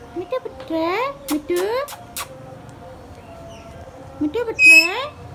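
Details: Hand-tame pet Indian ringneck parakeet talking: a series of short, harmonic, upward-sliding vocal phrases in two bursts, with quiet pauses between them, recorded indoors.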